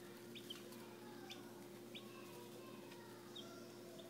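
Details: American Dominique chicks from a straight-run hatchery order, dated 4-13-11, give short high peeps, one roughly every second. A steady low hum and soft rustling or scratching run underneath.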